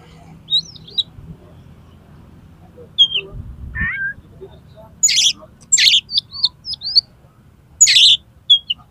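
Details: Kacer, or Oriental magpie-robin, song meant to coax competition birds into opening their beaks: sharp high whistles and rising slurs, then bursts of harsh scratchy notes mixed with thin whistled flicks, in a quiet background.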